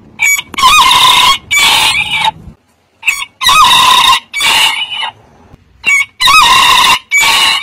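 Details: Short, high, strained rooster crows come in paired bursts every few seconds. Each starts with a quick upward flick and then holds a scratchy tone.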